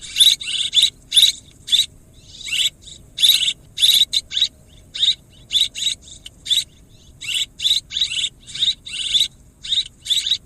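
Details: High, dry twittering chirps of swiftlets, many short clicky bursts in irregular runs of two to four, spread across ten seconds against a silent background.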